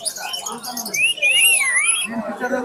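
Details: A pet rose-ringed (ringneck) parakeet said to speak eight to ten words and mimic a cat, chicken and whistle gives a clear, high whistled sweep that rises, dips and rises again over about a second; a man talks before and after.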